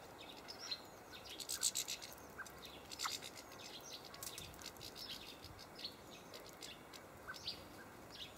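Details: Several European goldfinches at feeders in an allotment garden in Hamburg on 5 February 2012, at minus twelve degrees: faint, scattered high twittering and tinkling call notes in short bursts over a steady background hiss.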